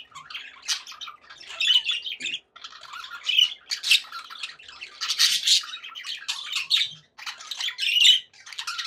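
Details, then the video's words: Happy pet budgerigars chattering: dense, scratchy warbling and squawky chirps in long runs with brief gaps, a lively continuous flock chatter indoors. "happy budgie sounds"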